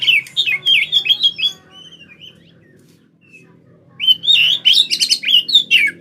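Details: Oriental magpie-robin song used as a lure, heard day and night: two energetic bursts of rapid, varied whistles and chattering notes separated by a quiet stretch with soft scattered notes.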